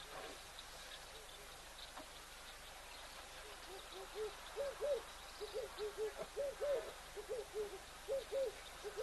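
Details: Verreaux's (black) eagle at a new nest in Africa, March 6, gives a run of soft, arched, mellow yelping notes, about a dozen in quick irregular groups, over a steady windy hiss.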